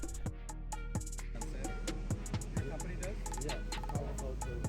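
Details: Drum-driven music with bass, percussion hits and instrumental tones plays throughout, with no animal calls standing out.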